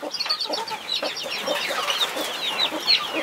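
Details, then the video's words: Protective mother hen with 21 chicks; high chirping peeps over a row of soft, low, evenly spaced clucks. "Mother hen protecting her 21 Baby chicks"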